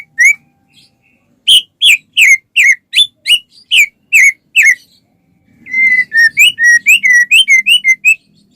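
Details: Singing white-rumped shama, a lure to trigger other shamas: a series of loud, downward-slurred whistles about three per second, a pause, then quicker high twittering phrases.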